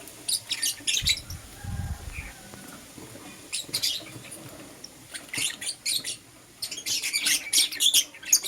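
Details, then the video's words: Lovebirds, a green Personata and a yellow pastel pied, chirping in the morning: clusters of sharp, high, scratchy chirps in irregular bursts, with a brief low thump early on and quieter gaps between. "Lovebird Chirping Sounds - Green Personata & Yellow Pastel Pied"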